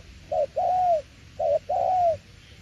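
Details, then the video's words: Spotted dove cooing in the "tiểu liên nước" style: two soft, low phrases, each a short clipped note followed by a long, drawn-out coo that slowly falls, about one and a quarter seconds apart. "Đồng tiểu liên nước chơi quá hay luôn ae ơi"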